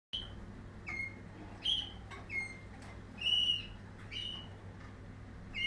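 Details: Waterslager canary of the 2020 strain singing separate short, pure whistled notes, some steady and some slightly rising, spaced under a second apart, over a constant low electrical hum.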